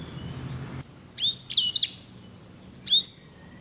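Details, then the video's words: Sanger songbird singing three quick, bright slurred whistles followed after a pause by a single buzzy, trilling phrase; a low hum at the start stops abruptly before the song begins. "KICAU SANGER GACOR JERNIH VOLUME PEDAS!"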